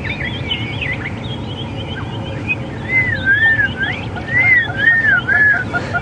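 Black-crowned Tchagra giving a string of clear, slurred whistles that rise and fall, about five in three seconds, over a steady low rumble.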